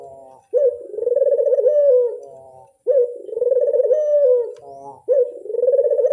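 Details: A Barbary dove gives repeated lure-call coos, each a long, pulsing, low note that rises a little at the end, with quiet nasal notes in the pauses.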